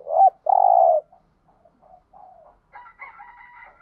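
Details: Spotted dove coo for stimulating other doves: a hooked note and a long level coo at the start, then faint soft coos, then a harsher, higher, multi-toned call from another bird.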